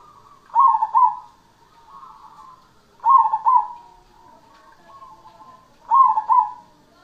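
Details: Actively singing cemani zebra dove repeats its phrase three times, about every three seconds. Each phrase is a bright rolling two-beat coo trailing into softer murmuring coos, with nothing else audible.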